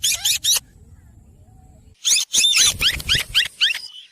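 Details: Green rose-ringed parakeet making a pair of harsh squawks, then after a short pause an excited rapid series of raspy screeches about four per second, over low background rumble.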